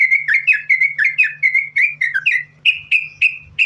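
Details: Gacor yellow-vented bulbul (trucukan) song for luring bulbuls: a dense, warbling run of liquid whistled slurs, finishing with four clear, ringing whistles about a third of a second apart.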